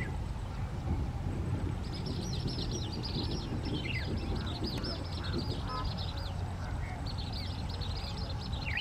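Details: Many Asian palm swifts courting and mating at a palm tree where they nest, birds flying in and vocalizing: thin, high, rapid twittering trills repeated in bursts, over a loud steady low rumble.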